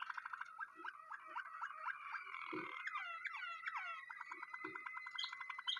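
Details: Waterslager canary singing quietly: quick rolling tours and short gliding notes repeated in runs, with occasional low knocks in the background.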